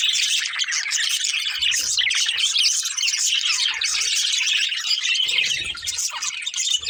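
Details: Colourful budgerigars, described as a breeding pair, chirping and singing: a dense, continuous chatter of high warbles, squeaky chirps and short squawks with no pauses, plus faint low thumps.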